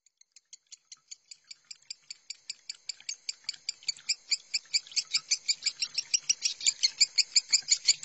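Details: Lovebird minor-style song used as a training master for other lovebirds, with water sound therapy stated: rapid high chattering chirps, about three per second, starting soft and growing louder and denser.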